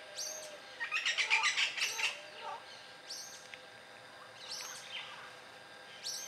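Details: Wild Yellow-naped Parrots calling in Costa Rica's dry forest: harsh, raspy squawks in a fast burst of about seven notes, then scattered single screeches spaced a second or so apart against quiet forest background.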